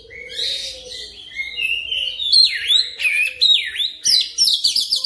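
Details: Oriental magpie-robin lure song used to coax fast, rolling singing. Soft buzzy warbles rise to loud, clear downslurred whistles, ending in a quick series of crisp, repeated chirps over a faint low hum.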